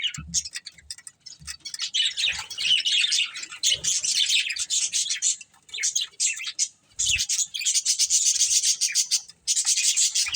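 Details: Breeding pair of budgerigars giving continuous raspy high warbling chatter, nearly unbroken with only brief dips, plus a few soft low thumps.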